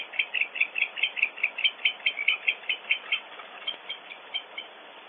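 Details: Barn owls at a nest cavity on Audubon Starr Ranch, California, during an intruder episode, more than one owl cleaking: a steady run of short, high squeaky notes about two per second, fading toward the end.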